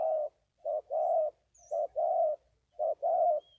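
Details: Spotted dove giving three soft phrases, each a short coo followed by a longer drawn-out coo, spaced about a second apart, low and mellow against near silence.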